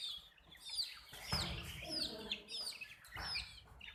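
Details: Chicken chicks give repeated bright, falling peeps roughly every half second, several birds overlapping, while low rustling and a faint human voice sound underneath.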